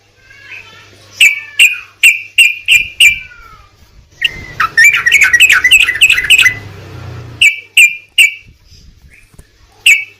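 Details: Sooty-headed bulbul (trucukan) song played as a lure to prompt a bird that has stopped singing. Bright short whistled notes, sharply repeated about three per second, then a dense chattering burst and more clipped notes, with low hum.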